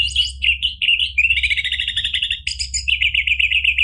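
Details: Orange-headed thrush in strong, clear song, used to coax another bird into singing. Varied whistled phrases lead into a rapid rattling trill, then steady repeated sweet notes, almost without pause, over a low hum.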